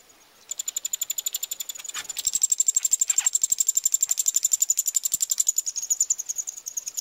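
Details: Being fed in Pribytki, Russia, on 2 July 2018, Eurasian wryneck chicks give a fast, steady train of high, dry, ticking buzzes, about four each second, rising in loudness after a brief quiet start.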